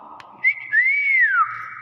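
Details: A tame common hill myna (Gracula religiosa) gives loud, clear whistles: a brief rising note, then a long arching whistle that climbs and slowly falls, over a low background hum.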